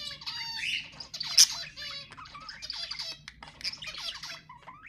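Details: Budgerigar warble meant to encourage pet budgies to sing: continuous busy chatter of high, buzzy notes, short squeaks and rising whistles, with scattered sharp clicks throughout.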